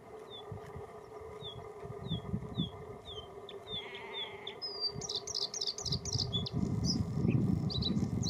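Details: Bluethroat (Luscinia svecica), song.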